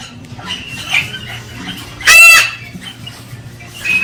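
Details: A Galah cockatoo gives a single loud, grating screech midway through while stimulating the female to mate. Soft chatter and a steady low hum fill the rest.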